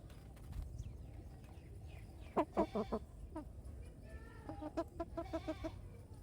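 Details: Chickens on a farm with baby chicks: two bursts of short, low, throaty clucks, the first a loose run of four or five notes, the second a quicker even series, over a soft rural background hum.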